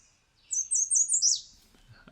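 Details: American Redstart song: a quick series of four or five high, thin notes stepping upward, then a sharp downslurred sneeze-like ending, all in about one second.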